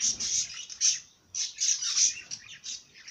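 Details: Bird singing in bursts of high, bright chirps and twitters, with a short pause near the middle before a busier second phrase.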